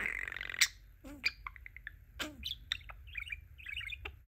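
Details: A pet male budgerigar talks and chatters, introducing himself, in a quick, varied run of high chirps, clicks, squeaks and warbled notes with brief pauses between bursts.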